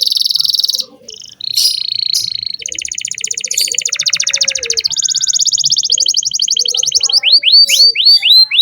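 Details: Canary singing in full voice as tutor song for young canaries: rapid buzzy trills switching between tours, with a long rolling trill in the middle and a closing series of sharp falling whistled notes.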